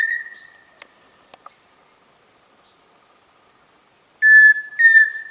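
Pheasant cuckoo giving clear, steady whistled notes at a fairly high pitch: one fading at the start, then two sustained whistles after a long quiet gap.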